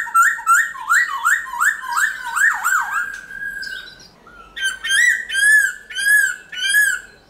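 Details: Forest-style song of a black-throated laughingthrush: a string of quick, downslurred whistles, a short pause, then loud, arching whistled notes repeated roughly once per second.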